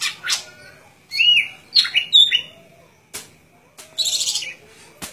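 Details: A golden-fronted leafbird sings clear whistled slurs and quick chirps, then a dense buzzy chatter, with sharp clicking knocks between phrases.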